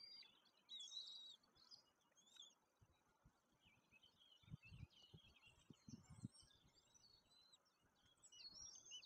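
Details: Young White-tailed eagle chicks at feeding time in the nest at Woziwoda, May 2024, fed by a parent, give thin, high, squeaky peeps in quick, irregular bursts, with soft low knocks and rustling underneath.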